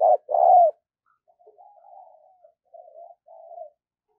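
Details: Spotted dove kept as a decoy bird, voice-trained daily to lure wild doves: two loud, low, husky coos in quick succession, then a longer run of softer, wavering cooing notes at a steady low pitch.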